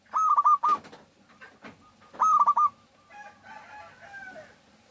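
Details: Local zebra dove, a lively singer used as a lure to make other doves sing: two loud cooing phrases near 0.2 and 2.2 seconds, each a long note broken into quick pulses, followed by faint calls of other birds.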